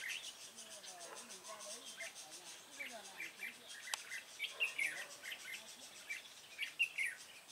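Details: Red-whiskered bulbul during trapping: a run of short, clear whistled notes and chirps, sparse at first then denser and louder toward the end, alongside faint lower chatter.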